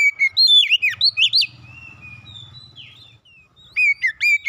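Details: Song of an Oriental magpie-robin meant to calm and revive a stressed bird: rapid, rich warbled whistles sweeping up and down, a softer interlude with a long thin note, then another loud burst.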